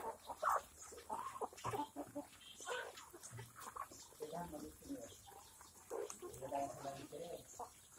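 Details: Black Kadaknath chickens on an organic farm in Cuttack, Odisha, cluck in short, mid-pitched bursts that overlap irregularly, with a few sharper squawks and faint human voices in the background.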